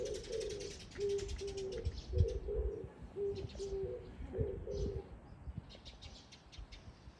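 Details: Oriental turtle dove calling on 13 April 2024: low, hoarse coos in short paired phrases, repeated steadily for about five seconds before fading. Faint high chirps from other small birds and a low background rumble.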